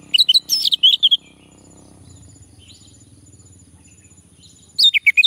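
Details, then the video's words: Prompted male orange-headed thrush: a tumbling series of varied whistled notes, a long pause with low murmuring background noise, then another quick burst of twisting phrases. "Anis merah jantan, agar bunyi"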